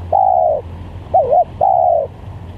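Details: Spotted dove call for luring doves: a long level coo, a quick wavy double note, then another long slightly falling coo, clear and loud over a soft low hum.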